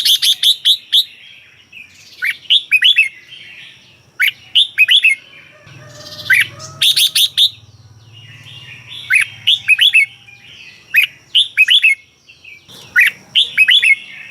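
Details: Red-whiskered bulbul from Thailand singing in a cage, a recording for exciting caged birds: steady series of quick, bubbly four-to-five-note warbled phrases, with a low hum in the middle.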